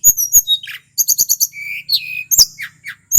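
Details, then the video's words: Wild male tledekan from Mount Merapi: high sharp chirps, a quick rattling burst of four or five notes, then a longer steady whistle sliding down, followed by squeaky twitters. "Suara asli tledekan gunung merapi FULL GACOR"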